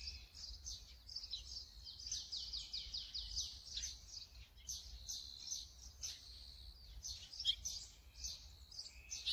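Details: Brown-eared bulbul recorded with a Sony camera and 200-600mm lens: continuous chattering of shrill, high, slurred notes in rapid clusters, with occasional sharp squeaks.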